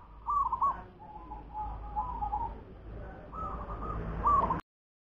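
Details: Local wild zebra dove giving a run of soft, rippling coo phrases, evenly pitched and trilled, over a constant low rumble of background noise.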